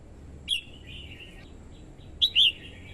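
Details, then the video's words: Red-whiskered bulbul, described as a weak-spirited decoy singing to stir wild birds into song. Two short bright phrases, one near the start and one fuller phrase of a few quick whistled notes later, over a low background hum. "TIẾNG CHIM CHÀO MÀO YẾU LỬA HÓT KÍCH BỔI MỞ MỎ HÓT SỔ CĂNG LỬA"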